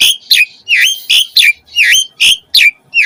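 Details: Asian pied starling in full varied song, a lure for caged starlings: loud, rough, slurred notes that drop in pitch, repeated almost once a second in an uneven rhythm.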